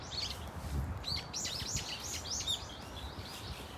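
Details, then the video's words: Several Brown-eared Bulbuls in a flock at Dunsan Grand Park produce a quick run of shrill, looping notes that tumble over each other, then thin out, above low background noise. "직박구리 무리 다양한 울음소리 Brown-eared Bulbul sound of crying"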